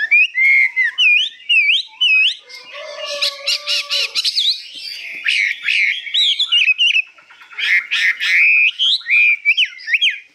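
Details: Newly arrived hwamei described as 85% tame and singing high with long phrases: loud, varied whistled song of sliding notes and rapid warbled runs, with short buzzy and chattering bursts and brief pauses between phrases.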